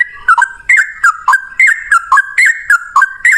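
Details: Yellow-vented bulbul, described as a male, giving a long fighting-style song used as a lure to get other bulbuls singing: short bubbly two-part notes, dipping then rising, repeated about three times a second.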